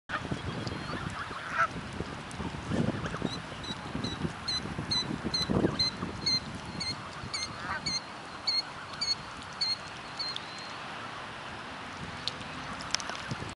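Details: Juvenile Canada geese and their parents feeding at a college campus in Grayslake, Illinois, on 7 July 2010, give a steady string of thin, high peeping notes, two or three a second, with a few lower calls over wind and water rumble.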